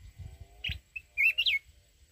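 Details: Red-whiskered bulbul of the mountain type singing a wild-style song used to provoke rival birds for trap fighting; one bright warbled phrase of quick rising and falling whistles after a short note, faint low rumble underneath.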